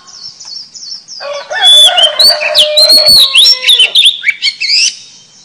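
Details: Oriental magpie-robin song played as a lure for trapping the birds. Soft high whistles lead into a loud, varied burst of chattering, slurred and rising whistled phrases over a lower sustained tone.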